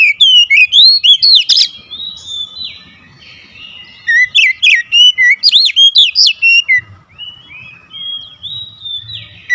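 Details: Agitated oriental magpie-robin pours out two long bursts of fierce song, rapid loud whistles with steep upward sweeps and arcs, separated by softer warbling and a faint low hum.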